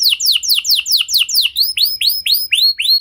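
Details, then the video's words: Canary singing as a lure to get other canaries to sing: a run of steeply falling whistled notes repeated about four times a second, then switching to slower rising-then-falling upswept whistles. "Pancingan Suara Burung Kenari Lagu Unik! Buat Kenari Mana Saja Pasti Ikut Bunyi"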